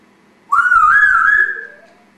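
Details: African Grey (Congo) pet parrot indoors producing a loud, drawn-out whistle that wavers slightly then fades, with a softer rising tone at the end.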